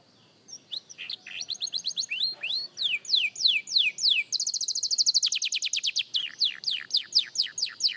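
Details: A young canary rehearses its song. It runs through repeated falling notes at about three per second, a dense rapid trill in the middle, then further sweeping downward phrases.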